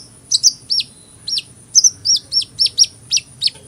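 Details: Hummingbird repeating a thin, sharply down-slurred squeak about every quarter second after a few hesitant opening notes, high-pitched and steady over a faint background hiss.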